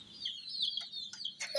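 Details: Domestic hen chicks peeping in short high notes beside a miniature toy jeep, with sharp clicking knocks breaking in over the thin chirps.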